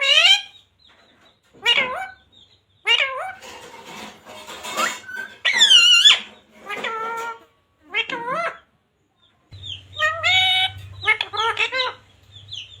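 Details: Talking parrot repeating "radhe radhe": scattered short, high, wavering mimicked syllables and squeaky upward sweeps with pauses, and a low hum near the end.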